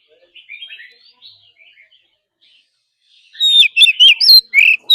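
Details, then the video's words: Caged Oriental magpie-robin singing a forest-style song, used for daily training of caged birds: soft, scattered high warbled notes at first, then a loud burst of rich whistled and buzzy phrases in the final second and a half. "Choè than hót giọng rừng.kích bồi hót căng. Luyện chim hót mỗi ngày"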